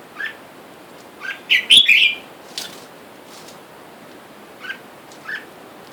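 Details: Caged male and female wild-caught red-whiskered bulbuls, origin unknown, that chase and fight each other, while wild birds outside call for a mate; short bright chirps and a louder burst of quick notes, then scattered single chirps.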